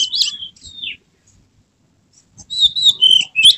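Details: White-rumped shama with tail spread in emotional display: a burst of whistled slurs, a second of silence, then a renewed rush of high, varied warbled notes.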